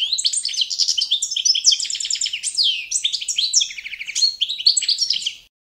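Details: Training song of the Balkan goldfinch, Carduelis carduelis balcanica, following adopted competition standards: unbroken fast twittering full of trills, rattles and buzzy slurs, ending in silence.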